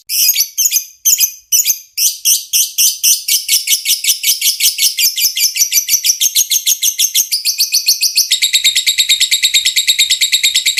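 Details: Lovebird ngetik ngekek song for tutoring other birds. A few choppy opening notes run into a long, unbroken, high rattling trill that quickens and steadies toward the end.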